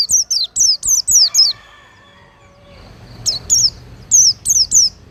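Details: Cage-bird training recording of an Oriental white-eye singing quick, high, sharply descending whistled notes, five in a tight burst, then after a quiet gap another rapid cluster of similar thin notes.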